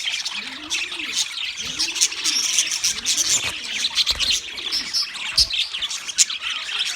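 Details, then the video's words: Wild budgerigars chirping: a dense, continuous high warbling chatter of many birds, with low, soft arched coos repeating about every second underneath. "Wild Budgies Birds Chirping Sounds"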